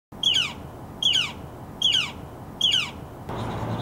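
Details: Northern flicker chicks in sibling rivalry, giving harsh, buzzy squawks with a falling tail, four calls spaced about every 0.8 seconds, then a muffled rustling noise at the end.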